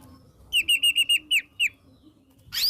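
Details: White-rumped shama, song used as a lure for shamas to sing: seven clear, steady whistled notes repeated quickly at one pitch, the last two slurring downward, then a rising sweep at the end.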